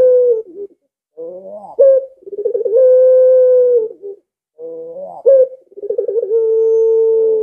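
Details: Two full pelung-style coos from a collared dove, roughly five seconds apart. Each has soft low notes, a sharp rising accent, a trembling stutter and a long steady held tone.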